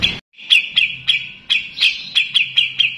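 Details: Grey-cheeked bulbul kept as a songbird: after a brief silence, a series of about ten sharp, bright chirps spaced a quarter to half second apart, one slightly rasping; faint low droning hum underneath.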